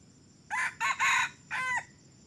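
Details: Red junglefowl that began crowing only three weeks ago, brought along for decoy trapping, gives one hoarse, harsh crow in four bursts: a rough opening note, two quick blasts, then a drawn-out, falling final note. Quiet background otherwise.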